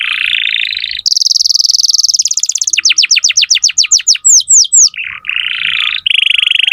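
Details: Canary singing to tutor young canaries: a low trill, a fast high rolling trill, then repeated falling whistled sweeps and further trills at changing pitch.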